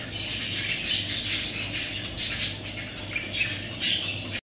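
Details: Young pet budgerigars producing a near-continuous stream of scratchy, hissing squawks that overlap and swell in waves, with a few sharper peaks toward the end over a constant low electrical hum.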